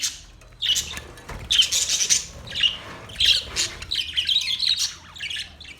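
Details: Colony of budgerigars kept in a parrot colony setup: a busy flock gives sharp, high squawky chirps and trills in clustered bursts roughly every second, separated by short lulls, with a soft low hum behind.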